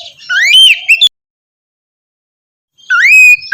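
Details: Oriental magpie-robin singing for morning therapy meant to stir a reluctant bird: a bright whistled phrase with quick flourishes, a long silence, then a rising whistle that settles into a sustained clear note.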